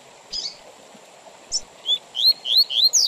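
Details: Coleiro song, tui tui zel zel style, with intervals for teaching and tournament training: a few scattered soft notes, then a rising burst of four or five loud whistled slurs at the end.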